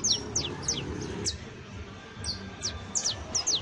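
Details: Juvenile saffron finch singing a sparse series of high, steeply falling chirps in scattered pairs and short runs, with gaps between bursts and low background hum.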